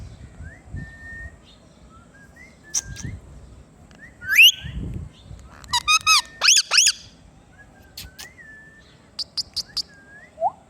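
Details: Green ringneck parrot kept as a talking pet produces varied squeaks, upslurred whistles and a loud cluster of harsh harmonic squawks mid-way, followed by short high chirps, with soft low thumps in the background.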